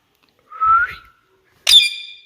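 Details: Pet Indian ringneck parakeet indoors, facing a mirror, gives a short rising whistle, then after a pause a harsh, bright, buzzy screech.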